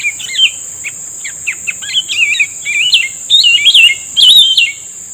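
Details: Grey-bellied bulbul answering a trapper's lure: bright warbled phrases of quick rising and falling notes, several short chirps then longer looping whistled runs, over a steady high insect drone.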